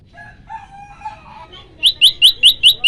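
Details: Olive-backed tailorbird 'shot' song variation used for training birds: faint low warbling at first, then six loud, sharp, rising whistled notes in quick even succession.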